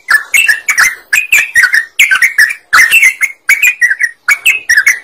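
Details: Sooty-headed bulbul pouring out a busy song of bright, bubbling whistled notes in tight groups with tiny gaps, a lure meant to make other birds join in.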